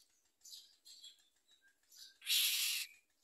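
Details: Common myna nestlings beside their mother, reluctant to eat and trying to bite her: a few soft high squeaks and chirps, then one loud half-second harsh rasping burst, followed by a faint chirp.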